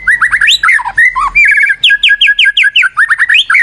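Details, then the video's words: White-rumped shama singing as a lure, a dense run of quick rising and falling whistled notes and chattering phrases, delivered rapidly almost without pause. "PANCINGAN MURAI BATU GACOR"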